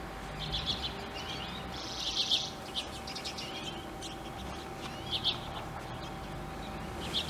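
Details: A few Icelandic redpolls in Akureyr, Iceland, in 2016. Short high chirps come in scattered bursts, with a denser buzzy flurry near the two-second mark and further chirps later. A steady low hum and background noise run throughout.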